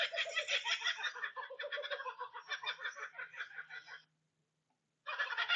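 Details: Laughing kookaburras giving their laughing territorial call, announcing location, with others joining in: dense, rapid rollicking chuckles and cackles for about four seconds, a brief silence, then the chorus resumes.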